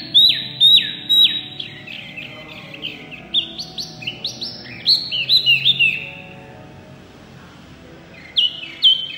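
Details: Mini white-eye singing loudly in full, energetic song: runs of high downward-sweeping whistled notes, then rising slurred phrases, a short pause and two more sharp notes near the end.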